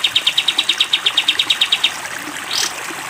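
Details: A caged sooty-headed bulbul on a cage-bird training recording sings a brief 'tembak panjang' run of about sixteen crisp, evenly spaced notes at a steady pace. A soft rushing swish follows after a short pause.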